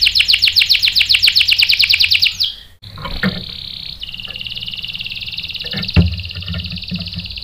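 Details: Canary song from a lure recording meant to set off a male's rolling song. A quick run of sharp repeated notes fades into a long buzzy steady roll with scattered clicks and faint low hum.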